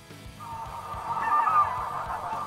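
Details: A large flock of snow geese getting up off a lake makes a dense, continuous din of overlapping nasal honks that swells in the middle, faint low rumbles underneath.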